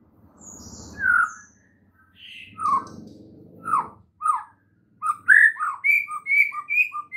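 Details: White-rumped shama morning training song; low rumbling background under scattered slurred whistles at first, then a lively sequence of clear whistled notes repeated in quick succession toward the end.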